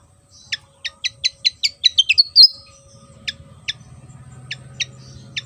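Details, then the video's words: Javan fantail, an insect-eating bird of Java with a fan-shaped tail, singing: a quickening series of sharp descending notes building to a brief rising-falling flourish, then spaced single chips, with a faint low hum behind. "burung SIKATAN JAWA//SIKATAN KIPAS gacor"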